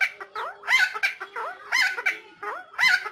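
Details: Helmeted friarbird from Nusa Tenggara chattering in quick, rasping phrases, each a cluster of looping, slurred notes with a hoarse edge, repeated at a steady pace.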